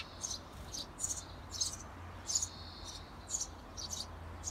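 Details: Outside a nest box, tree sparrow parents prompt 17-day-old young to fledge: rapid, thin, high chirps in quick clusters about every half second, with a low steady hum underneath.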